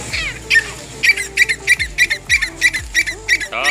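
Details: A fighting grey francolin in Punjab gives harsh, squeaky notes in quick succession, about three a second, over a low hum and faint background voices.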